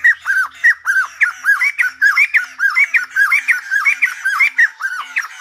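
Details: Rhythmic singing from a Silver-headed babbler, a bouncing run of arched, slurred whistles repeated about twice per second, alternating lower and higher notes with scratchy overtones; a faint low hum underneath.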